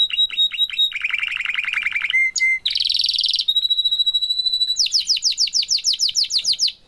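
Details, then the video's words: Canary parents with their chick: bright, high song of rapid repeated trills, first short chirps, then a lower rolling trill, a buzzy burst, a thin sustained whistle and a fast series of sharp notes, all crisp and clear. "canaries parents and chick bird"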